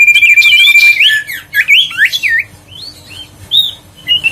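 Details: Huyt co bird song used to stimulate lazy birds into singing again: a long steady high whistle, then a quick run of looping, slurred whistled notes, followed by softer separate rising whistles.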